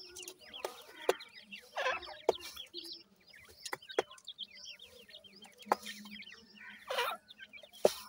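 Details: Dakhni grey francolin (Ortygornis pondicerianus) chicks give a busy, constantly overlapping chorus of thin, high peeps and short chirps, with sharp taps or clicks and a low hum behind.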